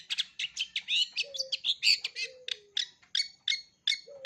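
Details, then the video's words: Long-tailed shrike in full song, rich in mixed sounds meant for young birds to copy: dense rapid chattering notes and bright whistles, with a few low drawn-out tones sliding gently downward. "Cendet isian lengkap, COCOK untuk CENDET MUDA belajar BUNYI, JITU dan GACOR"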